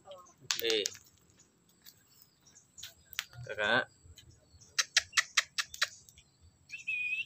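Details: Pet black-capped lory, a tame bird that stays with its keeper and is said to chatter often, gives two harsh, throaty squawks, then a quick run of sharp clicking notes and a steady, high, drawn-out whistle at the close.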